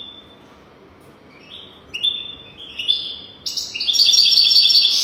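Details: Song of a European goldfinch, meant as a tutor recording for young birds: clear whistled notes rise step by step, then break into a loud, rapid, jangling twitter.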